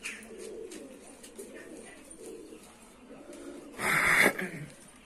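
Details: Low murmuring coos from domestic pigeons in a loft shared with four newly arrived strays, running steadily for several seconds before a sudden loud burst of noise, likely wing flapping or handling, near the end.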